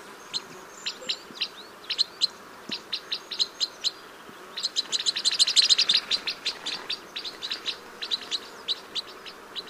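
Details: Crossbill song: a fast run of short, sharp, high chirps, several per second, with a denser, louder burst of overlapping notes near the middle before easing back to spaced chips; quiet background.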